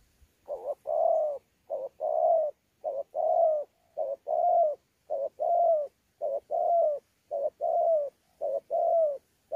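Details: Steady fighting coo with gù from a wild-caught spotted dove at Sa Thầy, 26 November 2019: eight rhythmic two-part phrases, a short low hoot followed by a fuller, slightly descending coo, nearly a second apart.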